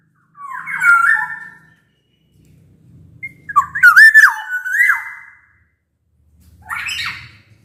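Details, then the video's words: Black-naped oriole song used as a lure to make quiet orioles sing: a warbled whistle, then a longer fluty phrase with sharp upward flicks, and a rougher nasal note at the end, over a faint hum. "Suara kepodang gacor ini bisa di jadikan pancingan kepodang malas bunyi"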